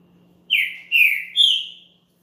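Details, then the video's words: Song of a champion green-winged saltator used for warming up another bird: three loud, full whistled notes, each slurring downward then trailing off, evenly spaced about half a second apart. "ESQUENTE SEU TRINCA FERRO RÁPIDO NO CANTO DE UM CAMPEÃO"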